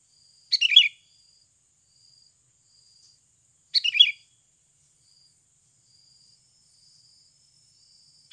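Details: Sooty-headed bulbul recorded as a natural bird-trapping lure: two short bright chirping bursts, about three seconds apart, over a steady high insect drone.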